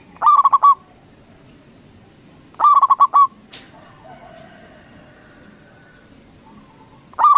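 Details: Loud local zebra dove singing as a lure to provoke other doves into replying. Three bursts of rapid, bubbling coos come about every three seconds. A faint click and soft hum fill the pauses.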